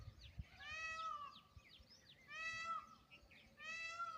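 A peahen gives three loud, nasal, wailing calls, each about a second long and slightly falling, spaced roughly every one and a half seconds.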